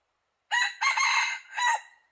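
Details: Decoy junglefowl cock crowing to draw in wild red junglefowl, one loud harsh crow in three parts, a short note, a long strained middle section and a dropping tail, with nothing else heard.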